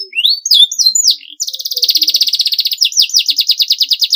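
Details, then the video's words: Clean, long canary masteran singing: a few sweeping, slurred high notes, then a sustained buzzy roll that breaks into a fast repeated high trill. "MASTERAN KENARI SUARA BERSIH PANJANG GACOR PAGI SIANG MALAM"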